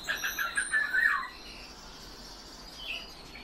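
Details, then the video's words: European bee-eaters kept in captivity: a burst of rolling, trilled calls near the start repeated rapidly for about a second, then quieter faint chirps over a low background hiss. "Merops apiaster - ЗОЛОТИСТЫЕ ЩУРКИ"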